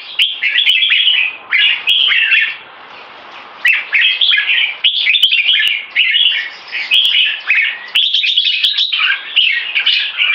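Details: Competition red-whiskered bulbuls, two caged males with one in molt, dueling: lively warbled bursts of chirpy, whistled notes separated by short pauses, including one quieter stretch near the middle, and scattered sharp clicks.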